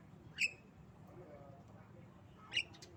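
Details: Tame Javan myna giving coughing and laughing sounds: two short, harsh, rasping squawks about two seconds apart over a steady low hum.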